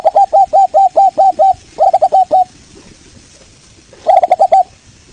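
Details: Zebra dove of the local Indonesian variety used as a lure to make other birds answer: a fast string of clear, hooked cooing notes, then a shorter run and a pause before a final quick burst.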